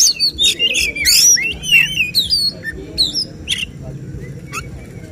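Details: At a bird-singing contest, an Oriental magpie-robin sings 'tembakan' shooting phrases: a rapid burst of varied whistles and scratchy notes that thins into scattered sharp chips, over steady low crowd noise.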